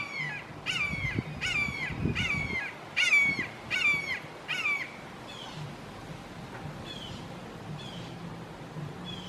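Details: Three red-shouldered hawks in a Florida backyard calling emphatically, possibly family squabbling. A rapid run of loud, downslurred screeching notes, roughly one per half second, then fading to softer, more spaced calls against low background rumble.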